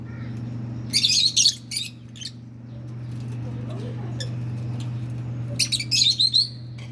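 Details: Pair of hand-tamed rosy-faced lovebirds, male and female pets, uttering loud shrill chirp bursts near the start and end with quieter twitter between, against a constant low household hum.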